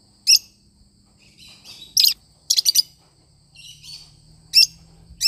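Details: Pet lovebird parrot singing: sharp high chirps in short bursts, some doubled or tripled, separated by quiet gaps with faint low hum behind.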